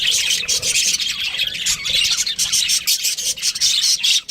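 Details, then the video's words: Loud, nonstop high chirping and warbling from a pet budgie, dense scratchy twitter with a dip at the very end. "cute budgie chirping sounds"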